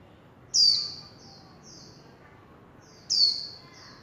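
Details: Warbling white-eye, líu chòe style: two loud, sharp, high notes that slide downward, about two and a half seconds apart. Each is trailed by fainter short high peeps, and the setting is otherwise still.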